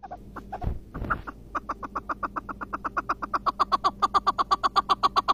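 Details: Iraqi chukar partridge, described as a long-singing bird: after a brief noisy start, a rapid train of harsh chuk notes repeats about four times per second, growing louder and more even toward the end.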